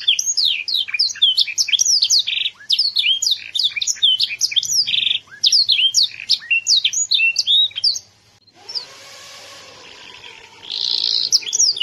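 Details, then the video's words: Young molting canary from Yogyakarta, Indonesia, singing loudly: fast bursts of sweeping whistled notes and chirps in rapid phrases, with short rolling trills, a pause, then a low hum before song resumes. "CANARY MUDA SUARA MENGELEGAR"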